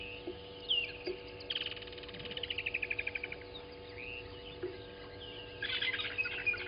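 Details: Southern masked weavers, newly arrived at Gowrie dam waterhole, Djuma Game Reserve, Sabi Sand, South Africa, 07:30 on 12/06/20, give a fast buzzy downward-sliding run of ticking notes, then harsh wheezy chatter, over faint electrical hum.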